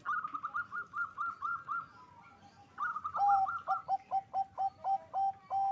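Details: Local zebra dove song said to raise birahi, or mating drive: an even series of high rolling notes, a brief lull, then a loud stuttered phrase stepping down into regular low coos.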